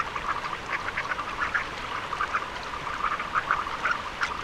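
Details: Surf scoter giving rough, nasal quack-like notes in quick irregular bursts, some louder notes standing out from a continuous busy chatter.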